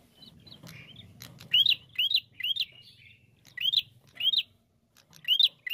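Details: Prinia song used as a lure, in the lively 'narung' style: six sharp, rising, whistled upslurs, each ending in a bright flick, repeated about every half to one second, with dry clicking ticks between them and a faint low hum beneath.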